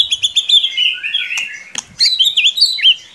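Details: Rapid white-rumped shama song played as a lure for a bird reluctant to sing: a fast, even series of high chips leading into looping whistled notes and twisting slurs.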